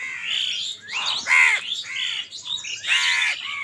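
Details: Squabbling over food, crows give overlapping harsh, squawking caws, several voices calling at once in rough, ragged bursts about every second.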